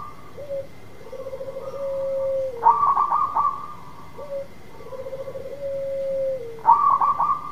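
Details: Singing local zebra dove, used to lure a dove that has gone quiet into song. Two full phrases about four seconds apart, each a short note, a long low wavering coo sliding down, then a loud rolling bubbly flourish. A steady background hum is present.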